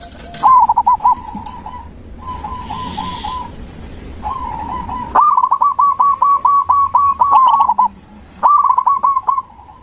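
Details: Zebra dove singing, offered as therapy for a dove that has gone quiet; several phrases of rapid, rolling coos, each a quick stutter of repeated notes, with other doves answering in the background.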